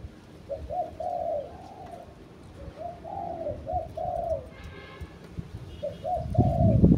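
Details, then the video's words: A pet spotted dove, a decoy bird, gives soft, hollow cooing phrases, three runs of quick coos over seven seconds, with low background rumble and a brief thump near the end. "cu gáy mồi"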